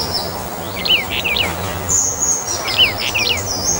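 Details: Two phrases of slurred, downward whistles from a Brown bullfinch, Taiwan subspecies uchidae, interleaved with very high, thin notes of another bird and a constant noisy backdrop.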